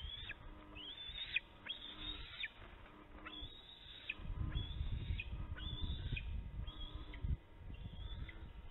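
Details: Young bald eagles at an Illinois nest in late afternoon, 25 June 2019, one fledgling eating while a sibling waits nearby; about eight high, level squealing whistles ending in abrupt downward slurs, over low rumbling noise.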